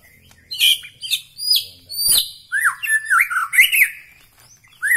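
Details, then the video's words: White-rumped shama of Bahorok, Medan, giving sharp high whistles and squawky notes, then a series of rising and falling slurred phrases. "ciri ciri murai batu Medan Bahorok"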